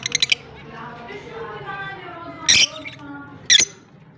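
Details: Blue personata and albino lovebirds kept in Larkana, Sindh, on October 25, 2023, giving a burst of quick high chirps followed by two loud shrill squawks a second apart, over a murmur of distant voices.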